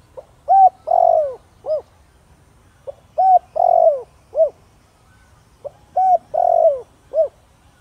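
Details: Thổ Đồng-voiced spotted dove calling to bring in wild doves. Three steady phrases, repeated roughly every three seconds, each a soft pickup, clear coo, long throaty descending croo and short arched end note.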